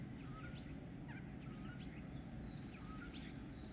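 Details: Common starling courting and mating, giving faint slurred whistles that rise and fall, with brief high notes at regular intervals over a steady low rumble of background noise.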